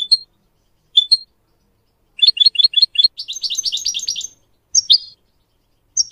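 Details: Goldfinch song used to teach young goldfinch mules and a canary to sing: sharp high chirps, then a run of quick repeated notes building into a dense twittering burst, followed by scattered single tweets.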